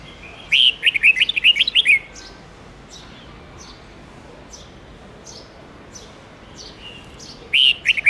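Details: Forest-style song of a red-whiskered bulbul, played to teach young birds: a rapid warbled run of bright whistled notes, then soft scattered chips, and a second loud phrase beginning at the end.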